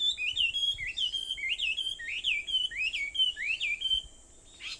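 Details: Wild birds singing at 4:30 in the morning on Aobayama, Sendai, Japan, on 21 July 2014: a rapid run of bright whistled notes, each rising and then falling, with a steady high hiss behind them.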